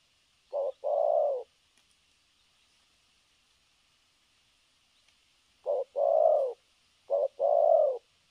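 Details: Spotted dove kept as a trapping decoy, a 'thổ cấn sấm nước' cooer: three short-long coo pairs separated by a long silence, over a faint steady high insect hiss.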